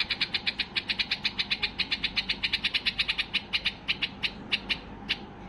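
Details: Excited white-eared bulbul singing to set off other bulbuls: a long steady series of bright clipped notes, about five a second, slowing and thinning toward the end.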